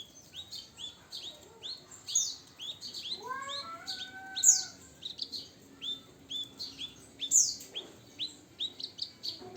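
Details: Javan bush lark, nine years old, singing a busy stream of high, sharp chirps and short upslurred notes, with a brief run of lower, slurred whistles partway through and a few louder piercing accents.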